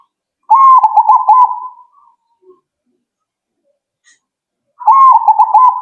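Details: Zebra dove answering right away with two trilled cooing phrases about four seconds apart, each a quick run of stuttering mid-pitched notes lasting over a second and fading at the end, in near silence.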